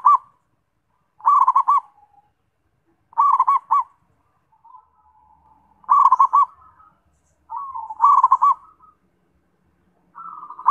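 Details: Zebra dove repeating short rattling coo phrases about every two seconds, each a rapid cluster of mellow notes. Softer drawn-out coos fill some of the gaps.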